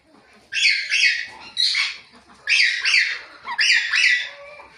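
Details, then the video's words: Harsh, grating chirps from a ringneck parrot, four loud bursts of doubled screeches in under five seconds, each burst ending abruptly. "Ringneck Talking Parrot Natural Chirping Sounds"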